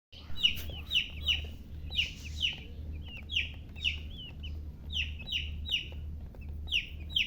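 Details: Chicks chirping: repeated high, sharply falling peeps, several per second, over a steady low hum.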